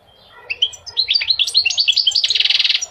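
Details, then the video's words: Goldfinch singing, used to encourage males to sing and to teach young birds: soft lead-in notes build into rapid tinkling twitters and close with a quick buzzy trill. "Singing the goldfinch is amazing song"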